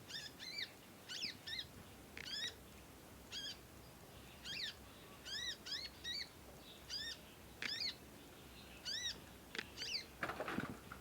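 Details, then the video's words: Young conin bird learning to sing, producing long squeaky chatter: a steady series of high, arching chirps, singly and in pairs, about every half second, ending with a brief rustle. "ANAKAN CONIN, NYECET PANJANG BELAJAR BUNYI & GACOR"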